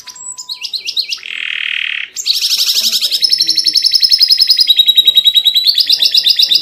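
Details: Canary tutor song full of fills and fancy variations, played to make other canaries agitated. Short warbled notes and a steady low buzz give way to fast pulsed trills that shift pitch in steps.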